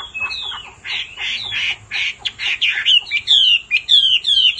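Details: Harsh, rasping squawks from a female hwamei meant to rouse the male, followed by clear, falling whistled notes repeated in quick succession.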